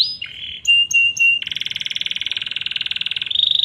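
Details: Canary in lively full song, meant as a master recording to prompt canaries that stopped singing to answer; opens with varied whistled notes, then a long, fast, buzzing roll and a high trilled ending.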